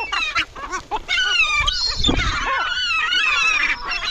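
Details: Several gulls at a cemetery call over one another: harsh, honking squawks and wavering cries, some rising then falling, with a low thump partway through.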